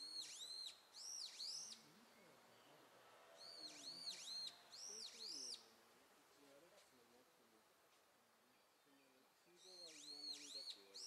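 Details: Japanese pygmy woodpecker young giving bursts of rapid, high, arching notes, separated by quieter spells filled with low, wavering sounds.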